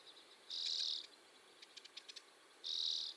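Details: Common redpoll, also called mealy redpoll, recorded in the UK: two dry, buzzy trilled bursts about two seconds apart, with a quick run of soft ticking notes between them over a quiet background.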